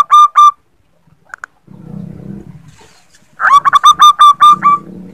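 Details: Female zebra dove luring the male with her call: a short two-note phrase, a pause with low rumbling, then a fresh run of about eight ringing, rapidly repeated notes.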